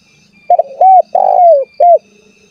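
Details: Spotted dove, a lure recording meant to draw rivals into calling: a single phrase of a double pip, an even coo, a longer descending coo and a clipped last coo, with a faint low hum behind.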